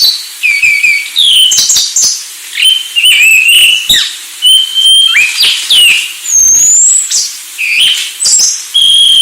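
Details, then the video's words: Anis Sulawesi singing a varied song of clear whistled notes, sustained level whistles and quick slurred phrases, mostly high-pitched, with short pauses between phrases. "Anis Sulawesi"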